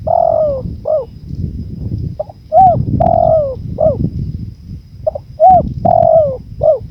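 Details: Spotted dove cooing over a soft bed of wind noise: three-part phrases of short low coos followed by a long, drawn-out falling coo, repeated several times.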